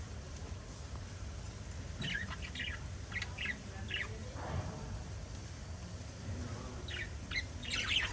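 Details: Pet budgerigars, a small parrot-family flock, giving scattered short bright chirps in loose bursts over a low steady background rumble.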